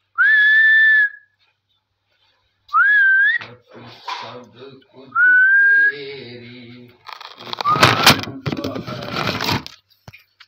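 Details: Talking parrot with its owner: three clear rising whistles spaced a couple of seconds apart, mixed with low voice-like chatter, then a burst of harsh, noisy squawking near the end.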